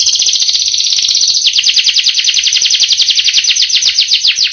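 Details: Caged canary delivering a long rolling song: a rapid trill of repeated high notes, sweeping units stacked quickly, continuing steadily for several seconds.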